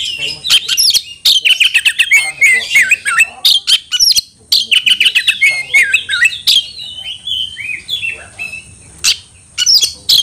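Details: Oriental magpie-robin calling a rival to fight: dense, rapid, varied song of warbled whistles and clicks, a short gap, then softer whistles and a final loud burst.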